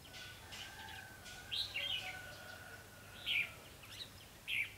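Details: Red-whiskered bulbul during trapping with a decoy bird, 28 October 2016: three separate short, bright warbled phrases spaced a second or more apart over steady hiss and a faint low hum.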